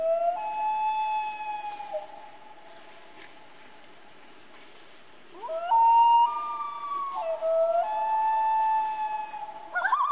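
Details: Common loon calling at night: long, pure, mournful wails held steady, rising into higher sustained notes after a quiet gap, with gentle tonal breaks between pitches; faint steady hiss in the background.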